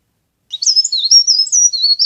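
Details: Leaf warbler, known locally as cikrak daun or pare pare, recorded as a trapping lure: one rapid, high, thin warbled phrase of sliding whistled notes, lasting about one and a half seconds, with no background noise.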